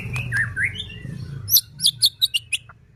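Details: White-rumped shama song used as a lure to make other shamas sing and become agitated: a few mixed whistles over a low hum, then five or six sharp, high, clipped notes in quick succession.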